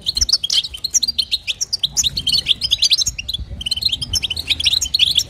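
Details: Female European goldfinch giving batbata and sastasa calls to stimulate a male. Rapid, high, sparkling twitters run on continuously, with a brief dip in the middle before the chatter resumes.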